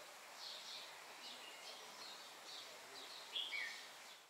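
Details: A chestnut-eared finch (Australian zebra finch) taking a short rest after feeding within its group. Soft, high chirps come every half second or so, with a brighter, sharper note near the end, over a faint hiss.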